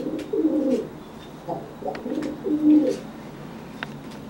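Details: A dry pigeon coos to threaten a wet pigeon that cannot fly after bathing, puffing itself up. Low, rolling coo phrases come in three short bursts, with faint clicks between them.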